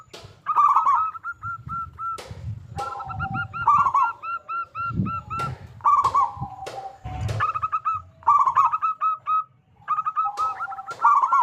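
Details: Local zebra dove singing heartily as a lure to make other zebra doves sing. Repeated phrases of rolled coos run into quick strings of clear notes and low coos, with frequent loud clacks and thumps.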